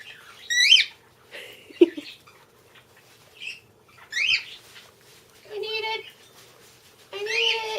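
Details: A male pet cockatiel begging for cereal gives short, bright up-and-down chirps, roughly one a second, then two longer nasal, whining calls, a call his owner says he developed to be annoying and is not normal for cockatiels. A faint steady hum runs underneath.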